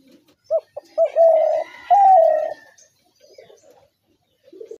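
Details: Repeated coo phrase of a spotted dove: two brief notes, then two drawn-out low coos, the second slightly higher at the start, followed by quiet soft murmurs.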